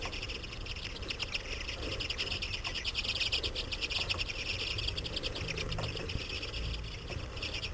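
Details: A winter flock of common redpolls at feeders in Saratoga Springs, NY, after over a foot of snow during an irruption year, chatters in rapid, dry, buzzy overlapping chit notes over a steady low rumble.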